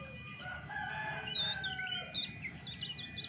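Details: Chestnut-backed thrush (Geokichla dohertyi) in its natural voice: drawn-out slurred whistles at mid pitch give way to quick high looping notes, in a continuous varied phrase over a low hum.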